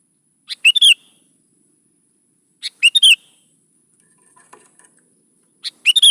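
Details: Gacor song of a sooty-headed bulbul, used to coax young birds into singing: three bubbly four-note phrases roughly two and a half seconds apart, with faint scattered chirps in the middle.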